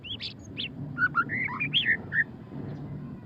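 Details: White-rumped shama, called murai batu pastol, singing ngeriwik: bright whistled notes rising and falling in a tumbling phrase, several clear peaks in the middle, a soft low hum behind.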